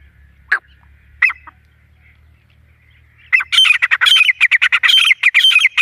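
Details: Grey francolin call used to lure birds for hunting: two isolated harsh notes over a low hum, a quiet pause, then a fast, loud series of rasping, squawking phrases for the final two and a half seconds.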